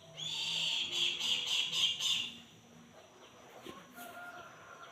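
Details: Brahminy kite giving its hunger call: about two seconds of loud, quickly repeated high nasal notes with strong overtones, then the calls stop, leaving faint background noise and a brief thin whistle.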